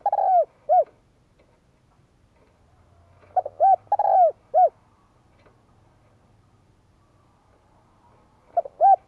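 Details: Cooing of a spotted dove played to fire up males in training. Three repeated phrases of clipped coos, each with a longer sliding note and a closing short coo, separated by pauses of about three seconds. A faint low drone runs underneath.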